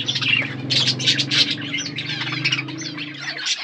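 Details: Seed-eating budgies in an outdoor aviary produce quick, jumbled chirps and warbled notes, several birds overlapping, over a faint low droning hum.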